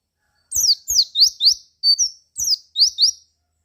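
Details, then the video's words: Bait song of a white-eye meant to make other white-eyes respond and sing more: a steady string of bright, high chirps in pairs and threes, alternating falling and rising slurred notes with tiny gaps. "Suara Pleci Ini Menggoda Pleci Lain Menjadi Lebih Gacor"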